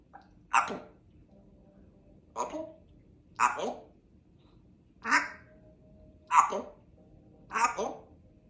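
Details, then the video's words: Pet African grey parrot, female, practising words: six short raspy speech-like utterances, roughly one every one to two seconds, separated by quiet gaps. "African Grey Parrot hard at work practising her words"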